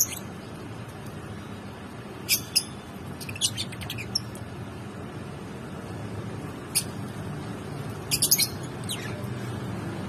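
Lovebirds giving sharp, shrill chirps in scattered bursts of two to five, with quiet gaps between, over a steady low hum.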